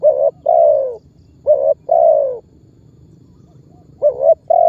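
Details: A spotted dove calls and presses as a lure for other birds; paired phrases of a short coo and a longer falling coo, then a long pause before a stuttering restart.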